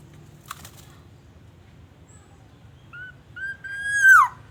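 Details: Black-naped oriole from Aceh, for luring orioles to call, sings after an early knock: two brief whistled notes, then a loud fluty phrase rising gently and ending in a steep drop.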